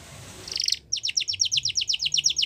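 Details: Yorkshire canary singing for training young canaries, a short rattling note followed by a steady run of rapid falling chirps repeated about six times a second.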